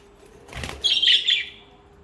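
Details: Budgerigar chirping: one bright, warbling high chirp lasting about half a second, after a soft flutter-like rustle.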